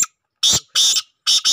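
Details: Black francolin, described as a good breed: loud, harsh, grating notes, one short burst followed by drawn-out rasping notes, in a quiet setting.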